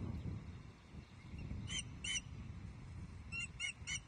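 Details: Nesting female Osprey at Loch Arkaig, Scotland, in May 2023 at dusk, moaning at her mate around a fish delivery. Pairs and triplets of clipped, high piping notes stand out above a steady low wind-like rumble.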